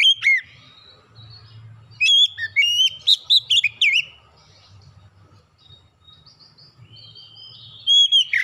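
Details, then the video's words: Song of the kacer, or oriental magpie-robin, meant to set birds singing: a dense burst of varied whistles and sharp slurred notes, a long soft interlude with faint high notes, then another loud phrase. "PANCINGAN KACER LANGSUNG GACOR NGEPLONG NGOTOT BONGKAR MATERI ISIAN"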